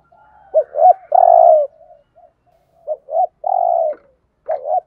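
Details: Spotted dove used as a decoy for bird trapping, cooing 'thúc gù' in 'giọng Thổ' voice: double short notes and a long low coo, repeated twice with softer murmurs in between.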